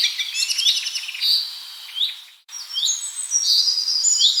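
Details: Small birds singing in nature: dense, overlapping high chirps and bright whistled phrases, some rising sharply, others trilled; a brief silent gap midway, then a fresh burst of sweet, sliding whistles.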